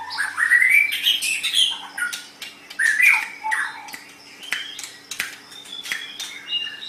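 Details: White-rumped shama song for masteran training: energetic bursts of harsh scratchy notes mixed with bright whistles, followed by scattered clicks and quieter high notes over a low hum.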